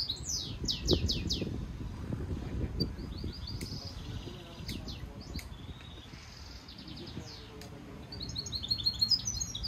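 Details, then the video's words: Stimulation song from a hybrid European goldfinch mule used for training: loud downward-sweeping whistles, then twittering buzzy phrases and a pause, before another quick burst of high chirps, over low hum. "European goldfinch Singing Mule -Training - Jilguero Mulo - Carduelis carduelis - Stimulation song"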